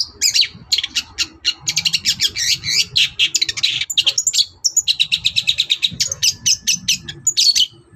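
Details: Long-tailed shrike singing at morning to make other birds respond: long, rapid strings of chattering, squeaky and whistled notes, almost unbroken, over a steady low background hum.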